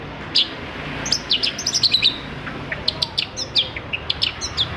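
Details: Long-tailed shrike singing as a prompt for other shrikes: thin high chirps and slurred notes in quick uneven runs, set against a constant hiss of background noise.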